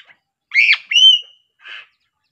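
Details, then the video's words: Sulawesi crow giving a harsh, rasping squawk, then a clear high whistle, and a short rough note after a brief pause. "Gagak Sulawesi suara unik"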